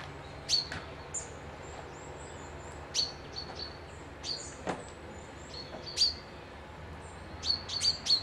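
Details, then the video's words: Birds whistling by a loch near Dundee, Scotland: a busy run of high, short, sharp chirps and tweets scattered throughout, bunching together toward the end, over gentle ambient hiss. "Birds whistling"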